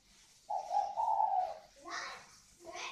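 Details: One of a kept pair of northern Vietnamese spotted doves with a 'còi vang' voice. A single sustained, slightly rising coo, then brief rustling and sharper noises.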